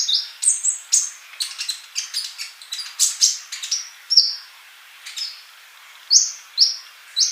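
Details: Singing male olive-backed sunbird, a tutor for young birds that are still silent: rapid high chirps and buzzy trills, easing into spaced, sharp, whistled notes near the end.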